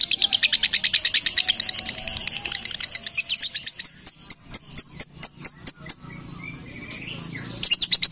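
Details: Female lovebird with long 'ngekek' chattering: a dense high trill slows into separate loud clicking notes, then stops briefly before a short burst of the trill resumes at the end.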